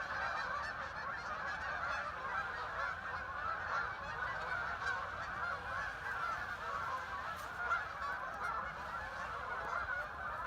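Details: Huge flock of thousands of ducks arriving and settling on the Hockanum River in Vernon, Connecticut, heard from a trail; continuous massed nasal calling blends into a roaring wall of sound with slight swells in intensity.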